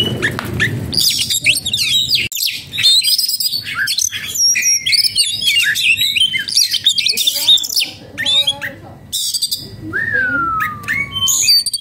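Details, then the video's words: {'caption': 'Oriental magpie-robin in breeding condition and agitated, with a dense stream of whistles and harsh chatter, then sparser tonal notes and a long descending whistle near the end; a brief low voice at the start.'} "burung kacer jadi birahi dan emosi"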